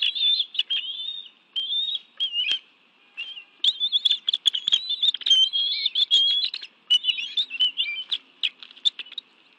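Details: Bald eagles at a Washington, D.C. nest, National Arboretum, during a June 2017 afternoon fish meal with both parents and two young. Bursts of high, squealing chitter, some notes bending up and down, with sharp clicks and rustling between.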